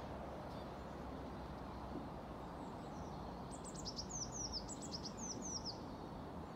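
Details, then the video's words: Eurasian blue tit at a bird-feeding station in Haga on 1 February 2022 sings an unusual swinging song: thin, very high notes slurring downward, about eight in two seconds, over a steady roar of traffic. "Blåmes med gungande sång"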